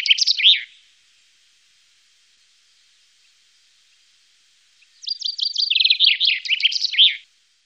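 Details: Wittlich valley chaffinch, 2018: the loud tail of one song, about four seconds of quiet, then a second song of spaced high notes, a rapid trill and a loud descending flourish.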